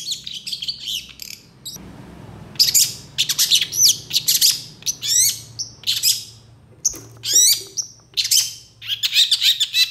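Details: Long-tailed shrike singing busily in a phrase-packed master song: scratchy chatter, a pause with faint hiss, then bursts of rasping notes and sharp falling whistles, repeated in quick succession.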